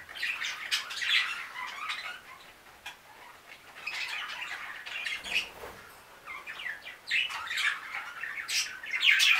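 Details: Five new budgerigars chatter together in busy, scratchy warbles and sharp chirps, with short squawks rising and falling in irregular bursts throughout.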